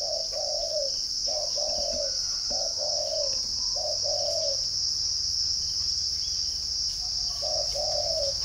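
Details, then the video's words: Cooing spotted dove at a northern Vietnamese bird farm in Ba Vì, Hanoi: four two-part phrases, a brief coo then a longer sliding-down coo, a pause, then one more phrase, with a persistent high insect hum. "chim cu gáy"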